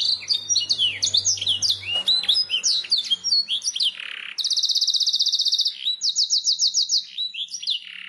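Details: Canary master training song, played so kept birds answer and start singing: loud, varied whistled phrases of rising and falling notes, then a long rapid buzzy trill, a brief pause and a second fast rolling trill.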